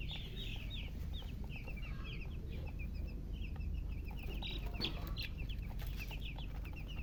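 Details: Newly hatched chicken chicks chirping nonstop, rapid shrill peeps of uneven timing from a crowd of chicks, some notes rising, over a low droning background.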